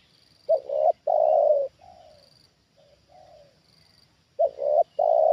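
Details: Trained spotted dove reacting as a wild bird comes down a second time: low, mellow coos, each a quick two-part stutter followed by a long, hollow, slightly falling note, with softer trailing coos between. A thin high whine comes and goes.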